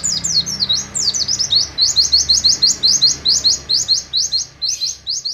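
An Oriental white-eye sings a fast, unbroken run of high, thin, sweet chirps, about two notes a second. There is only a faint background hum.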